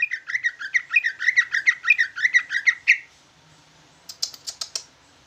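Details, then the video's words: Jumbo greater green leafbird (ci ijo) singing in a trucukan-like style: a fast run of about fifteen buzzy, chattering doubled notes, then silence and a brief burst of sharp, clicking higher notes. "Ci ijo jumbo rasa trucukan ngoceh"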